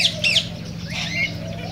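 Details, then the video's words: Cockatiels heard in a mating-stimulation recording: two quick bright whistled notes at the start, then a softer sweeping whistle and a short flat tone, over a steady low hum. "تغريد كوكتيل"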